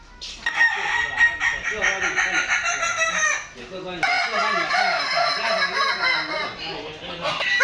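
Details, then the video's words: At a Padang crowing contest on 8 October 2023, Kokok Balenggek roosters keep up a thick chorus of long, rolling, multi-syllable crows that overlap throughout, briefly easing before swelling again. "laberan Ayam Kukuak Balenggek AKB"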